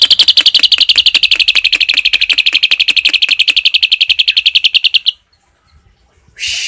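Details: Asian pied starling in 'tembakan' song with cililin fill, delivering a steady five-second burst of rapid, bright, high-pitched chips, roughly four each second, stopping abruptly into quiet before a brief hiss at the end.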